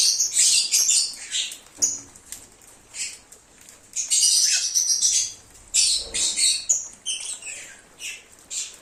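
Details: Group of lovebirds singing and cheeping, a lure to attract an escaped lovebird: lively, dense flurries of high, shrill squeaks and chirps tumbling over one another, with a few short lulls between outbursts.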